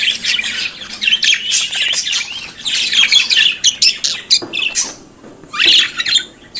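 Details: Singing, chattering budgerigar: rapid high warbled phrases and harsh chirps in loud bursts, quieter from about four and a half seconds before a final bright burst near six seconds.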